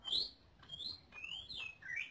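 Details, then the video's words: Greater green leafbird singing for tutoring other caged birds: a set of clear whistled sweeps, some rising and some falling, spaced apart over a quiet background. "Suara Burung Cucak Ijo Untuk Pemasteran"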